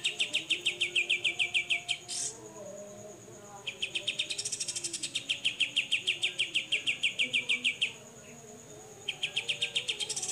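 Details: Grey-cheeked bulbul in the 'besetan' (mbeset) song style, a recording meant for tutoring songbirds: fast strings of sharp chipping notes, about three per second, broken by short gaps, over a steady thin high whine.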